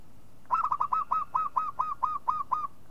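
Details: Local zebra dove giving a long rolling series of about eleven soft, hollow cooing notes, evenly spaced and slowing slightly toward the end, with a steady faint high tone underneath.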